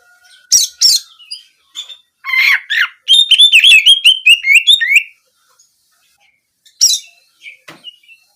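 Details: Oriental magpie-robin song of the canary-shooting type, used as therapy to encourage singing for daily or contests: a few harsh chips, then a two-second run of quick whistled trills, followed by sparse calls.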